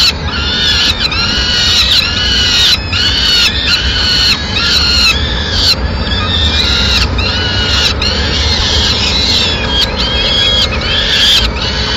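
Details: Peregrine falcon at a nest in Madrid, the mother bringing food to her chicks, recorded 29 April 2016: a steady run of harsh, high, arched wailing calls repeated about twice a second, with a low background rumble.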